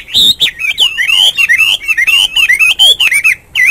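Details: A Hwamei sings in the morning with dense, loud, tumbling whistles: bright looping notes, quick slurs up and down, and a few harsh accents packed closely together before a short pause.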